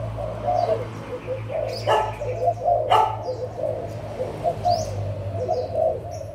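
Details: Adult spotted doves from Malaysia and Thailand, 16 March 2022, cooing together in overlapping low phrases; two sharp knocks break in near the middle, and faint high chirps drift over the top.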